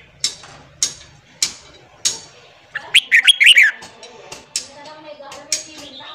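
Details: Red-whiskered bulbul morning song for training wild-caught birds: sharp clicking notes about every half second, then a quick burst of bright warbling notes midway, and faint tones underneath.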